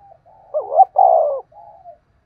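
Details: Lure spotted dove for trapping, one close coo: a soft hum, a clipped rising pair of notes, a sustained mellow coo, then a faint trailing note.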